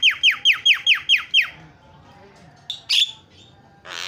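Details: Javan myna, a lure and fill-in song for coaxing mynas to sing, gives seven clear descending whistles in quick even succession. A few scattered harsh squawks follow after a pause.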